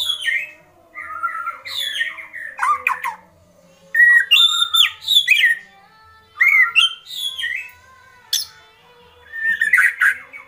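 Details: White-rumped shama in an agitated state delivering kretekan: loud bursts of whistled and chattering phrases separated by short pauses, each burst a rapid jumble of rising and falling notes.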